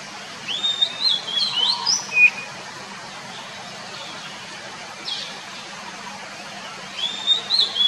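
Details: White-rumped shama singing in the wild, among other birds calling: two short bursts of clear, varied whistled phrases that slide and trill between mid and high pitch, separated by a quiet gap, over a faint steady hum.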